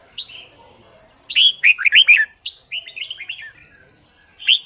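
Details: A white-cheeked red-whiskered bulbul sings quick bursts of bright, bubbly whistled notes, rising and falling in short liquid phrases with brief pauses between them.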